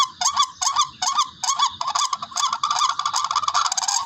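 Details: Barred rail call used as a bird-hunting lure: harsh, nasal notes repeated about two to three times per second, each with a bent, rising-falling stroke, running steadily and growing denser toward the end.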